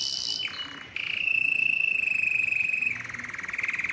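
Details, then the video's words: Canary song played to prompt male canaries to sing: a brief high phrase drops into a low buzzy roll, then a long, even, pure trill held for nearly two seconds before a lower rattling tour. "مجموعة صوت الكناري لتحفيز الذكر على التغريد"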